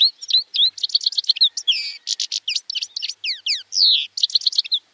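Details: A grey-headed goldfinch (Carduelis caniceps) sings a fast, jumbled run of bright twitters, buzzy trills and slurred whistles, all high-pitched and tumbling without pause.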